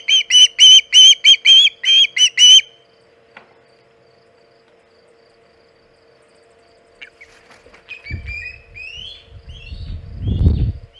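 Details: At the Hog Island osprey nest, 27 August 2019, mid-afternoon with a big shad, a burst of about ten shrill whistled chirps opens, then a quiet pause, faint upslurred whistles and wind rumble.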